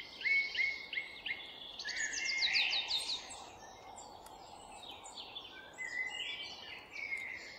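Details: Several forest birds singing together: a quick run of sharp descending chirps, scattered whistled notes and short trills overlapping one another, over a steady hiss of environmental noise.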